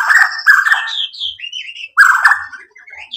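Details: White-rumped shama giving harsh, rasping notes mixed with smooth whistled slides that climb in pitch, in two phrases split by a brief gap.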